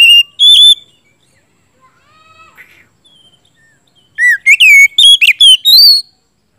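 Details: Oriental magpie-robin singing gacor style as a lure for silent birds: a short whistle, then quiet faint notes, then a bright burst of swooping whistles and chirps near the end.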